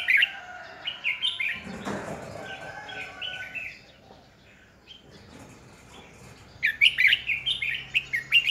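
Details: Red-whiskered bulbul decoy bird singing to stimulate other bulbuls in training for competitive singing, 2020: bursts of bright, warbled notes open and close the stretch, separated by a quiet pause with a brief low rustling thump.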